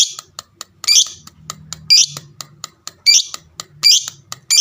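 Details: Lovebird of fighter type calling to provoke replies from other lovebirds: harsh high squawks about once a second over a faint low hum, with light ticking sounds between calls.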